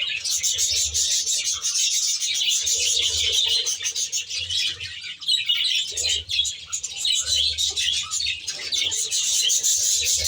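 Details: Many budgerigars in an aviary chattering nonstop, a thick layer of high chirps and scratchy warbles with occasional low hum in the background.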